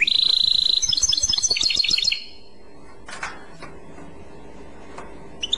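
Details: A European goldfinch sings clochette phrases, a steady whistled note running into rapid chiming trills for about two seconds, followed by near silence with a few faint clicks.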